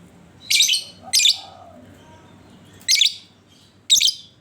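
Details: Lovebird song used as a lure to prompt other lovebirds to sing: four harsh, buzzy, high chattering bursts, two close together, then a pause, then two more about a second apart, over a quiet room.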